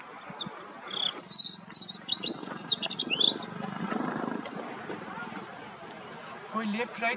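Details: White-spotted bluethroat singing: a brief burst of varied, sharp high chirps and quick twittering notes lasting about two seconds, then trailing off, over a steady low rumbling hum with faint murmuring in the background.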